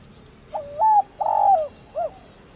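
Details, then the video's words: Luring coo of a thổ đồng spotted dove used to get captive birds calling: a low dipping note lifting into a steady coo, a longer gently falling coo, then a brief arched closing note, in near silence. "Cu gáy THỔ ĐỒNG GÁY GỌI kích bổi nhanh nổi hiệu quả"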